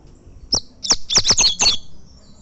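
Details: Double-collared seedeater, a champion tournament coleiro in the fibra category, giving a short phrase of about six loud, sharp, high chips that quicken toward the end.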